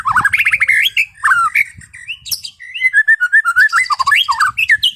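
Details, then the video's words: White-rumped shama in relaxed afternoon singing for calming a stressed, over-excited bird: varied rapid warbling with swooping whistles, trills and quick note runs, loud and continuous. "SUARA MURAI BATU NGEPLONG SANTAI SORE HARI UNTUK RELAKSASI BURUNG OVER BIRAHI"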